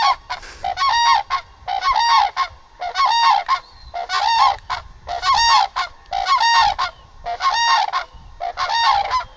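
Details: Cranes, possibly common or demoiselle cranes kept as pets in homes in Bannu, Pakistan, give loud, harsh trumpeting calls in bursts of about a second, repeated nearly every second with strong overtones; little else heard.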